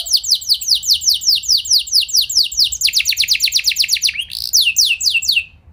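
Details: Rolling canary song played to prompt other canaries to sing: series of high, downslurred whistled notes in steady trills, changing speed and tone midway, a brief rising slur, then renewed phrases; low background hum.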